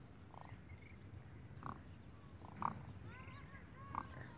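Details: Demoiselle cranes in Pakistan give short, rolling, trumpeting calls at irregular intervals, with higher overlapping notes from other cranes over a low background rumble.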